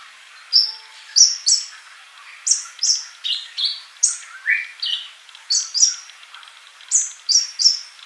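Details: Sunbird (kolibri) in full song for keepers' training: crisp, high, downslurred chip notes delivered one by one at a fairly even pace, a few dipping lower in pitch mid-phrase.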